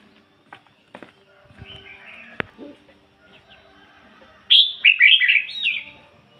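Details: Caged decoy red-whiskered bulbul with ngoi bổi song: scattered soft chirps and clicks lead to one loud phrase, a piercing whistle then rapid rolling warbles, trailing softer notes.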